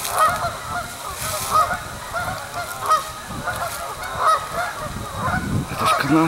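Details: Several Canada geese, landed in the evening on Springfield Lake, Churchville Park, Pennsylvania, on 25 October 2015 to settle for the night, trade loud, nasal, overlapping honks, a few each second, over a low rumble and faint voices.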